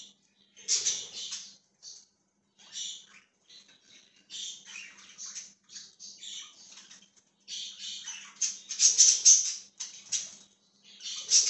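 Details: Budgerigar, dated 20 January 2023, chattering in dense bursts of harsh, scratchy chirps and warbles, mostly high-pitched, with short pauses between phrases and a loud cluster near the end; a faint steady low hum underneath.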